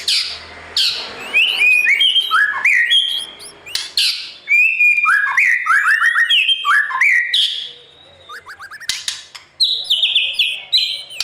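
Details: Morning song of a white-rumped shama used to train wild-caught birds for singing contests: rich cascades of quick whistled notes sliding up and down, interspersed with harsh rattles, short pauses, then a high repeated whistled series.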